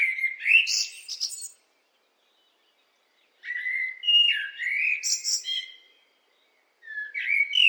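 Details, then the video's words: Song of a blackbird in three separate phrases divided by pauses of about two seconds. Each phrase starts with rich, mellow whistles and finishes with high, scratchy twitters. No other sounds. "What do blackbirds sound like?"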